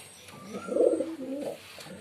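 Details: A single pigeon coo: a low, rounded, burbling phrase that swells and fades, followed by a softer second note.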